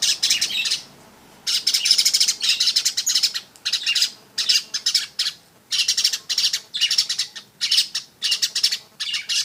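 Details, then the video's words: A weaver sings short, crackling buzzy bursts, about a second long each, repeated with regular pauses after an opening phrase and a quiet gap. "burung manyar"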